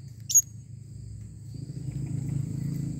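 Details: Blue-crowned hanging parrot calling: one sharp, very high, brief chirp near the start, then quiet apart from a steady high insect whine and a low rumbling background that grows louder toward the end.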